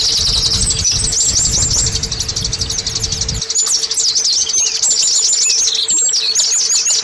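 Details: Oriental white-eye lure song for caged birds: quick, high, jingling twitters and looping trilled phrases flowing nonstop, low background rumble in the first half, then clearer chirps over a faint hum.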